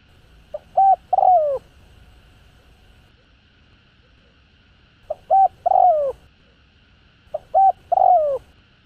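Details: Cooing spotted dove from a recording meant to stimulate decoy birds to call. Three phrases, each two short soft notes followed by a longer downward-curving coo, about every two and a half seconds, with quiet between them.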